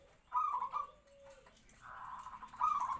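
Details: Trapping decoy zebra dove with a medium voice meant to attract bigger-voiced wild doves; short trilled coo bursts around a level, steady lower whistle-like tone.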